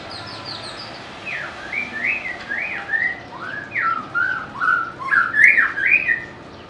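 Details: White-rumped shama, a species able to mimic other birds, opening with thin high notes, then pouring out a rapid string of looping, liquid whistles that rise and fall and grow louder.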